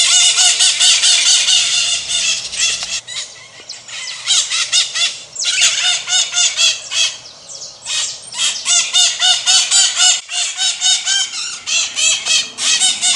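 Pionus parrot screeching in harsh, squealing bursts, about four a second, loud and grating with brief pauses between runs.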